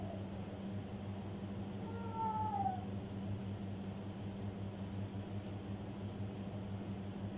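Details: African grey parrot mimicking, uttering a single drawn-out cat-like meow that slides downward with clear harmonics, then silence apart from a steady low room hum.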